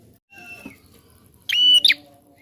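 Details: Prinia in full, persistent song, used to stimulate other birds to sing: one loud high phrase with sharp opening and closing notes around a steady, ringing whistled tone, after faint low background noise.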